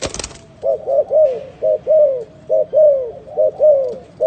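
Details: Spotted dove cooing in a rapid run of short low hoots alternating with longer downward-sliding coos, with a brief burst of noise at the start.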